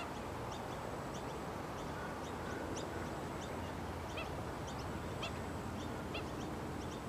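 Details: Black-winged stilt calling: scattered short, sharp, high notes, sometimes in quick pairs or triplets, set against constant low broadband background noise.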